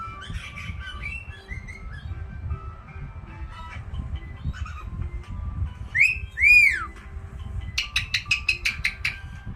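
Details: Pet caique calling indoors: soft whistled notes, then a loud pair of swooping arched whistles, followed by a rapid series of sharp repeated chirps.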